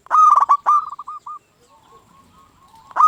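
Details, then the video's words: Local zebra dove in lively song, kept as a lure to make other zebra doves sing back: stuttered, rolling coos around a steady mid pitch, a loud burst, softer trailing notes, then another loud phrase at the end. "Perkutut Lokal Gacor RAJA PIKAT Ahlinya Bikin Semua Burung Perkutut Gacor Nyaut"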